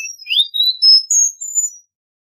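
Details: Cuban bullfinch song: a short run of clear whistled notes, first sliding upward, then a few pure steady tones on different pitches, ending in a thin high note. No other sounds.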